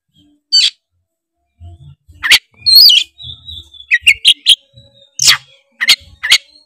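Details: Oriental magpie-robin (kacer) lure song in tretes style, meant to set rival birds singing; scattered sharp notes, a twisting whistle, then a quick run of clipped chirps, with faint low knocks beneath.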